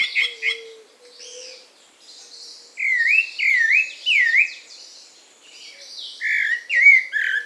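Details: Pale-breasted thrush (sabiá-branco) singing freely in the wild, melodious song of wavy whistled phrases, loud rising-falling notes repeated about once a second, with softer high twitters and another bird's low whistle.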